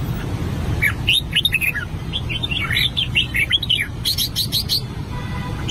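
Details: Red-whiskered bulbul, an albino bird, practising song: a burst of varied warbled and whistled notes followed by a series of sharp clicks, with a low rumbling hum underneath.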